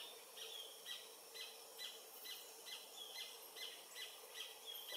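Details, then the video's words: Paradise jacamar (Galbula dea dea), adult, filmed on a Panasonic FZ300 by the Comte (Oyak) river in French Guiana, late morning of 8 November 2023, singing a fast run of high piercing whistles, about two per second, against humming insects. "Paradise Jacamar (Galbula dea dea) singing"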